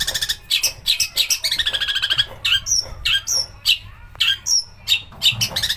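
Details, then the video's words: Long-tailed shrike song used as a lure to make shrikes sing actively and rouse their temper, full of harsh bursts: rapid chattering notes, a run of rising buzzy phrases, then sharp scratchy calls in quick succession. "pancingan cendet agar gacor||burung masteran mewah tembakan kasar keluar semua"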